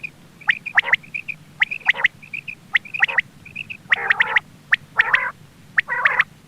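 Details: Quail sounds meant to lure birds while hunting: paired high piping notes and sharp clicks, then three loud grating bursts near the end.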